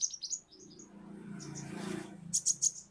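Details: Kolibri ninja, a sunbird kept in Indonesia, with a few thin, very high chirps at the start and a short burst of three sharp high notes near the end, over a steady low humming background.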